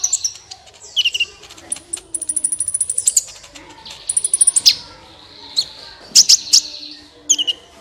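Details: Lively sunbird singing, used to prompt other birds: fast rattling trills of very high ticking notes mixed with piercing chirps and sliding whistles, loud and continuous throughout.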